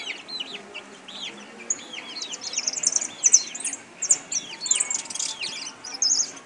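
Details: Singing caller European goldfinch: fast, tinkling high twitters and slurred chirps run together in an uneven stream, soft and slightly distant.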